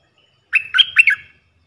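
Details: Red-eyed bulbul, a wild bird responding to a caged lure bird. A quick chattering phrase of four or five liquid, bubbly notes lasts under a second in an otherwise quiet setting.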